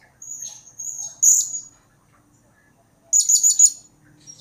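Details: Blue-crowned hanging parrot calls used as a lure to prompt other birds to answer: thin, high, squeaky whistled notes in the first half, then a quick burst of four or five sharp chirps after a pause. The background is quiet.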